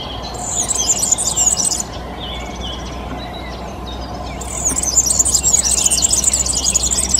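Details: European serin song: two long bursts of rapid, high, jingling and buzzy twittering, densely packed notes pouring out with a short quieter pause between them and faint background hiss.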